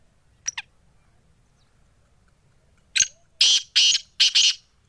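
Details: Sindhi black francolin (kala tetar) calling: after a soft double note and a sharp click, three harsh, grating, buzzy bursts follow in quick succession, the last one doubled, over a quiet background.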